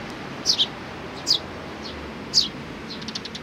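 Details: Sparrows, chicks with parents, on 17 May 2019: three sharp, high chirps, the first doubled, then faint quick ticks against a soft background hiss.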